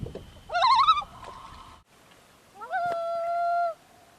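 Two mournful loon wails: a short wavering cry, then a long, steady note that slides up and holds for about a second.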